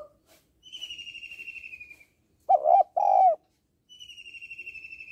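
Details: Female spotted dove calling to stir males: a long, high, wavering whistle, a low double coo, then another high trembling whistle.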